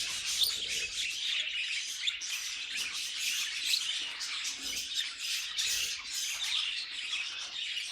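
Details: Group of budgies chattering in a steady, harsh warble, with quick clicks and squeaky notes layered over one another throughout.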